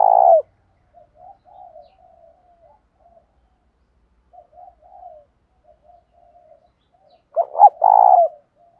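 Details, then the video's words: Spotted dove decoy in 'thổ pha' voice, calling to stir rivals to fight: soft low murmuring coos fill the middle, bracketed by loud phrases of two short notes and a long rolling crooo. "Tiếng chim cu gáy mồi thúc đấu, chim cu gáy kích bổi mới hiệu quả, cu mồi giọng thổ pha thúc đấu"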